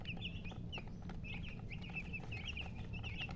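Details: Domestic chicken chirping, with many small high chirps that rise and fall, overlapping steadily across the whole recording above a constant low rumbling hum.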